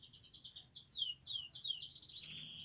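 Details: Quiet canary song for training canaries: a soft run of rapid high pulses followed by several falling swept notes, heard over low background rumble.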